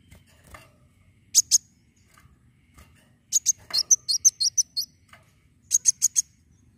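Purple-throated sunbird giving very high, sharp chips: a pair, then a rapid run of about eight, then four more in quick succession.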